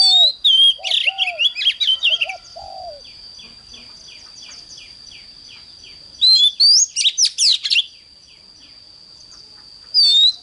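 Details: Oriental magpie-robin morning song, used for training birds to sing intensely: bursts of loud, varied whistled and twittering phrases, then a run of quick repeated chips, under a constant high-pitched whine; low mellow notes early on.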